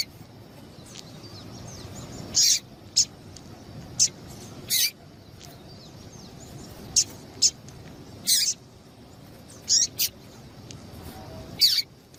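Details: Sparse, sharp, high chirps from a female double-collared seedeater, used to get males singing, come singly or in quick pairs every one to two seconds across a quiet background.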